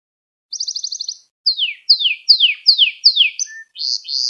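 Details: Canary tutor song for training young singers: a short high trill followed by a series of six sharply descending swooping whistles, about two per second, ending in brief rising notes.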